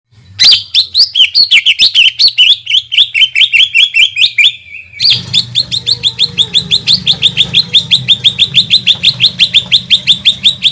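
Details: Greater green leafbird giving a long 'shooting' song meant to provoke other leafbirds: a rapid stream of sharp chirps, then an unbroken run of clipped, evenly spaced notes lasting several seconds.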